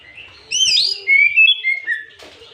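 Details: Afternoon white-rumped shama song used as a lure to provoke rival birds: a loud, rich run of sweeping whistles and slurred notes, followed by a short scratchy burst at the close.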